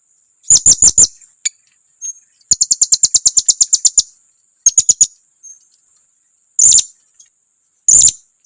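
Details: Blue-crowned hanging parrot giving a lure call that angers rivals: clusters of sharp, high squeaks, including a fast even run of about twelve chips, then scattered single shrill notes.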